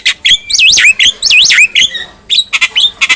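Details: Javan myna singing energetically, a tutor recording meant to make other mynas answer: loud whistled phrases that swoop down and up in quick arcs, mixed with harsh chattering bursts and short squawks, with brief pauses between.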